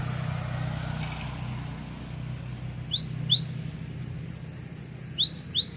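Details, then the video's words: Cinereous tit from Takengon, Aceh, Indonesia, showing its full song repertoire: a quick group of high rising whistles, a short gap, then longer upslurred phrases that grow louder, against a low engine-like hum. "GELATIK BATU ACEH FULL BONGKAR ISIAN"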